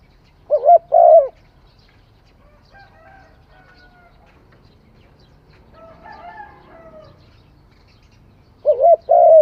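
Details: Cooing phrase of a spotted dove at the start and again near the end, soft hollow notes ending in a drawn-out coo; faint distant bird calls in the quiet gap between.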